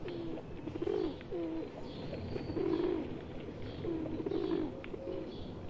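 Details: Indian pigeons, wild birds with one pet among them, making rolling, bubbling coos in bursts separated by short pauses, amid low background rumble.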